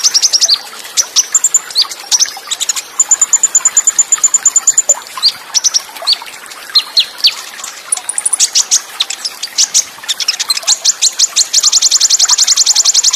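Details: Full olive-backed sunbird song in the Tembakan Cililin style, with speedy rolls and tight gaps, over water: rapid high chirps, a sustained thin trill, then a dense buzzy trill at the end.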